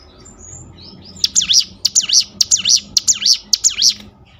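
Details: Bar-winged Prinia song played as a lure to provoke other birds into answering: six crisp, high, zigzagging phrases repeated about every half second, starting after a quiet second with faint background hiss.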